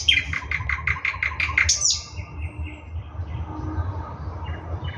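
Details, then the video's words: Thrush nightingale from Russia delivering a rhythmic series of knocking pulses, then softer drawn-out whistles fading into steady low background noise. "Nightingale singing Russian соловей восточный"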